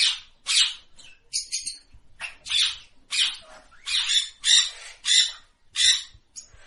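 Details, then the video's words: Parrot calling with rough, screechy squawks repeated roughly every half second to second, some with a thin whistled edge. "Natural Parrot Voice ।। Parrot Sound Effect ।। টিয়া পাখির ডাক"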